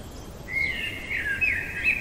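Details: Common blackbird in the dead of night singing a flowing fluted phrase, starting with a level whistle, dipping and rising through warbled notes, closing with brief higher squeaky twitters; steady low background noise.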